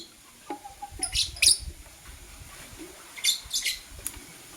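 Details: Blue and green lovebirds in the morning: a few short, harsh, high chirps in scattered bursts, with a faint low note and quiet background noise between them.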